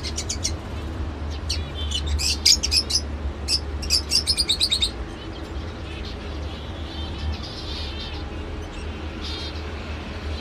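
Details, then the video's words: Pet lovebird giving a rapid run of shrill, high chirps and squeaky notes over the first five seconds, then fainter scattered chirps, with a steady low hum underneath throughout. "love bird sounds"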